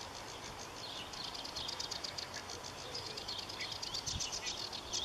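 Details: Marsh warbler in fast, continuous song: crowded high chirps, ticks and clicks following one another quickly with varied notes, over steady soft background noise.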